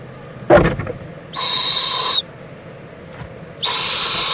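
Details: Owl mother checking on her owlet and joining it for preening in Indiantown, Florida, late morning of February 26, 2014; two harsh, hissing screeches, each nearly a second long, with a short knock beforehand.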